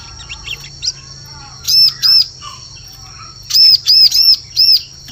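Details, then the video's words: Ciblek forest lure call: a pair of bright arched high chirps, a silence, then four more in quick succession, over a faint constant whine and low hum. "Suara Pikat Burung Ciblek"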